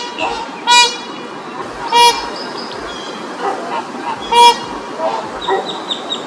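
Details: Trumpeter swans calling, their call likened to a trumpet; loud, brassy, horn-like honks, three strong notes about every 1.5 seconds with fainter notes between, thin higher calls near the end, over background hiss.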